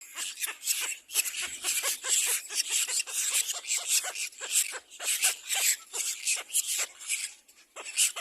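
Little black cormorant chicks keep up a constant high, hissing squeal, with sharp overlapping bursts several times a second as they beg for food.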